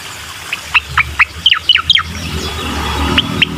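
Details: Bar-winged prinia singing, a recording meant to coax a silent bird into song: a quick run of clipped, bright chip notes, then a soft pause and two more notes over low rumble.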